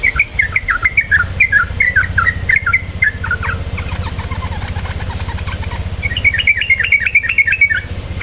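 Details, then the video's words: Yellow-vented bulbul song used as a lure to get birds singing quickly: bursts of quick bubbly, chattering notes in rapid runs, a softer patch mid-way, then another lively run, over a steady low hum. "PANCINGAN TRUCUKAN BAHAN agar cepat bunyi ROPEL"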